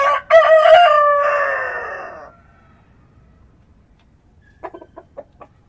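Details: Early-morning rooster in rural countryside gives a loud crow with a choppy start and long falling end, followed after a pause by a few short soft clucking notes.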